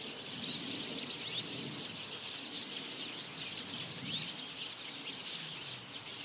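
A flock of Eurasian tree sparrows keeps up continuous overlapping chirps, bright and sharp, with a faint low background rumble.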